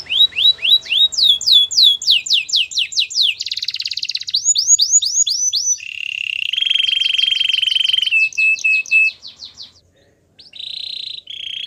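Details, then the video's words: A Belgian canary pours out a varied training song: fast repeated upswept whistles, a dense buzzy roll, a stretch of arched notes, a long low trill, a brief pause, then short high trills. "Warm up your belgian canary!! The best canary training"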